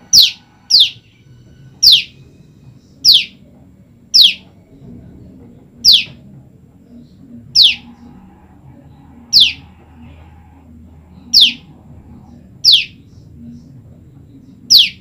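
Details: Kept apart from its male partner, a female olive-backed tailorbird keeps calling for him. About a dozen sharp, falling, whistled notes, the first few close together, then spaced one to two seconds apart with uneven timing, over a soft low hum.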